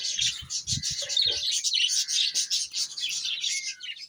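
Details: Kept parrots twitter nonstop, with overlapping bright chirps forming a steady shrill chorus. A few low knocks sound early on, and a short rising whistle comes near the end.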